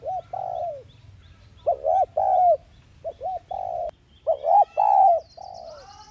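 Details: Spotted dove coos in the thúc gù lure style for stimulating kept males: several quick humped notes paired with longer level coos, repeated in uneven bursts about every two seconds.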